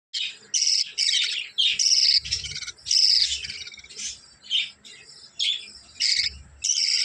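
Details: Budgerigars in a breeding setup chatter in a rapid stream of high, scratchy chirps and warbles.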